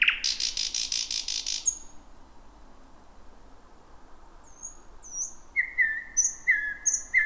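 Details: In dense bushes at night, a thrush nightingale delivers a rattling buzzy trill, falls silent, then begins a run of level whistled notes with thin high overtones repeated roughly twice a second.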